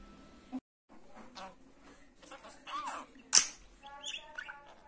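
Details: Pet budgerigar chattering: scattered short chirps, a curved whistled note and harmonic squeaks, with a sharp bright click near the middle and a brief gap of silence early on.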